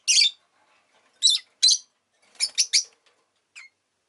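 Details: Rosy-faced lovebird kept as a pet, sharp buzzy chirps in clusters of two or three, loud and high, separated by brief silences.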